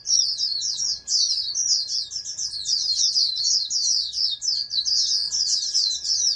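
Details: Continuous, fast, high twittering song from a captive-bred oriental white-eye intended as a future national champion, run together with barely any pauses; faint hum underneath.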